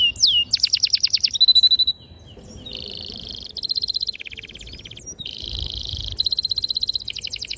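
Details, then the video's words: Canary singing vigorously with long rolls, a clear sharp song meant to stimulate young canaries to learn singing: fast high trills in successive tours of repeated notes, a steady buzzy roll, then rapid pulsed phrases. "PANCINGAN KENARI GACOR PANJANG || PANCINGAN KENARI PAUD BELAJAR BUNYI"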